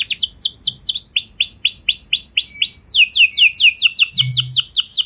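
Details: A canary sings to provoke other canaries to sing back: a steady stream of bright, down-slurred whistled notes about four per second, shifting to a faster, slightly lower series midway.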